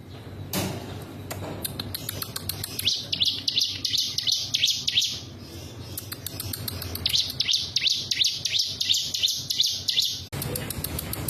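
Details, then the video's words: Mountain prinia singing in rapid repeated bursts of high, thin buzzy notes, about three per second, in two long phrases with a short pause between; low background hum throughout. "Suara burung ciblek gunung"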